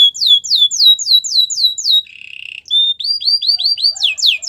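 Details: Belgian canary singing a training song: a quick series of downward-slurred whistles, a brief buzzy rattle, then a run of rising-falling whistled notes, clear and uninterrupted.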